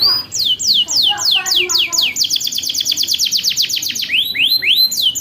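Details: Long-rolling canary song used as a master recording for young canaries learning to sing: sweeping downward whistles, then a fast even trill of rapid repeated notes, then rising swept notes, bright and high-pitched.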